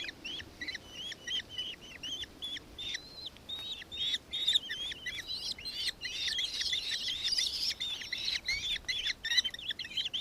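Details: Nankeen kestrel, Victoria, Australia, December 2024: quieter rapid chatter of short high notes that grows denser and louder midway, with faint background noise.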